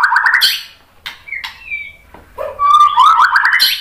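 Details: Shama song used to prompt replies: a slurred warbled phrase, a couple of thin whistles, then a loud rising trilled run that climbs into a high squeak.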